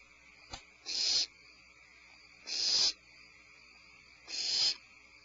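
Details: In the evening of 25 February 2012, after a supplemental prey drop, a barn owl gives three harsh, breathy, hiccup-like hisses, each under half a second and spaced nearly two seconds apart, with a faint click before the first.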